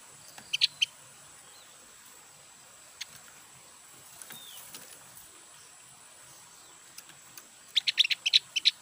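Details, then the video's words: A newly bought Javan grey-throated white-eye, not yet in full song, gives bright, high chirps in short bursts: a pair near the start and a quick flurry at the end, with faint notes between over a steady hiss. "suara burung opior jawa"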